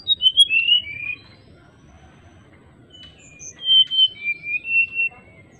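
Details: Singing greater racket-tailed drongo, actively calling an opponent with flute-like phrases: an opening string of loud, falling whistled slurs, a long quiet gap with faint notes, then a rhythmic series of five or six whistled swoops.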